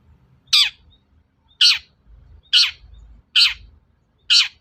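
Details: Long-tailed shrike provocation call for stirring other shrikes into song: single loud, grating squawks repeated about once a second against quiet background.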